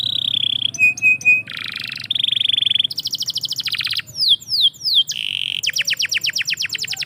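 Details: Canary singing in the morning, fluent and varied: pure whistled tones, rapid rattling trills, and sharp descending sweeps, one phrase running straight into the next, over a faint low hum.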